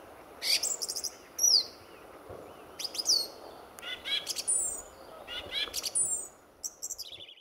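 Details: February dawn at RSPB Fowlmere, 2014: a male song thrush sings energetically among many rival territory holders, giving varied short phrases of high whistles, squeaky slurs and dry chattering notes separated by brief pauses.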